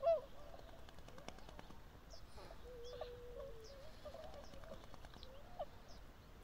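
Tundra swans give overlapping soft, hooting and yelping calls, some short and rising, one drawn out and level, from a calling flock over faint background noise.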